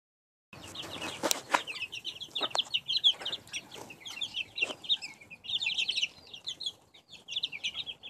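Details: Many chicks of a backyard hen, recorded in 2015, peep nonstop: dense, high, short notes overlap in a continuous chorus. Occasional sharp knocks and rustles are heard behind them.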